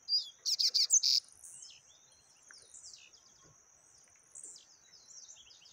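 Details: Yellow-bellied seedeater, taquara rachada song type: a fast burst of five buzzy, harsh repeated notes in the first second, followed by faint scattered high chirps over a steady high-pitched whine.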